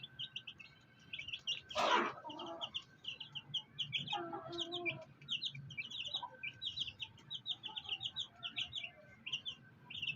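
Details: Black hen with her fighter chicks: constant high, chirpy peeping from the chicks, broken by a loud burst near two seconds and a few low clucks from the hen.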